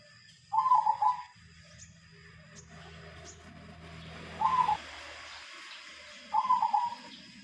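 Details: Captive zebra dove of the silver type, kept a long time, singing three quavering, trilled coo phrases spaced a few seconds apart, over a faint low hum.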